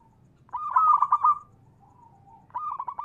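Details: Local zebra dove singing to stimulate other doves: a loud, stuttering trilled coo lasting about a second, a quiet gap, then a second rapid phrase of repeated coo notes beginning.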